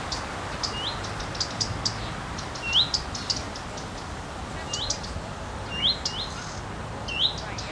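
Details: Characteristic 'fuit-tik-tik-tik' of a female common redstart on a wind-rocked branch, tail wagging: thin upslurred whistles each trailed by sharp high ticks, about six calls at uneven intervals over a low noisy background.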